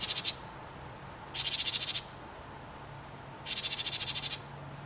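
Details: A house wren calling from a fence post gives its chattering call: three harsh, rapid, buzzy bursts, each under a second, with a few faint high ticks between them.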